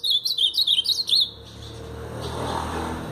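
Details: Ultramarine grosbeak singing a Paraná pardo phrase: around seven clear, rapid whistled notes, each swooping down then up, packed into just over one second, then quiet with a soft low rumble.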